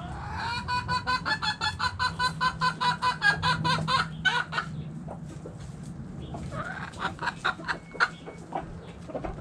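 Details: Hens in a backyard chicken coop, a long run of evenly repeated loud clucks, roughly two or three a second, then looser scattered clucking from other birds.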